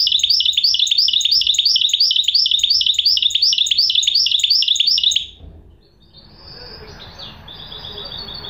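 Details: Goldfinch hybrid (mule) singing: a fast run of bright, repeated chirping notes, about three per second, high and ringing for five seconds, then a pause with soft room noise and a quieter twittering phrase.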